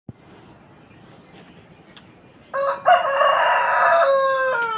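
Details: Rooster crowing: after quiet background, a loud harmonic crow begins near the middle, a short rising note then a long sustained strained call ending with a falling tail.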